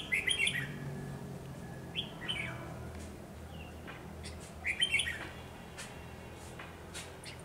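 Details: Red-whiskered bulbul serving as a trapping decoy, 10 November 2020; cheerful chirpy whistled phrases, a loud burst at the start, short notes around two seconds, another lively burst near five seconds, with a soft low rumble behind.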